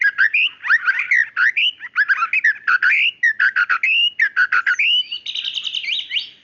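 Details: A female white-rumped shama calling to the male: a loud, fast, varied song of rich whistles, rapid trills and buzzy notes in quick bursts. It ends in a denser, chattering run, with a clean, quiet background.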